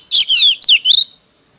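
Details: Oriental magpie-robin used as a lure bird to call in wild birds, singing competitively: a brief burst of loud, clear whistled phrases with quick rising and falling slurs, four linked notes within one second, then silence.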